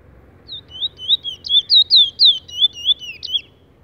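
A Chestnut-bellied Seed-Finch sings a sweet, fast warbled phrase of about a dozen slurred, rising and falling whistled notes lasting three seconds, over a low background hum.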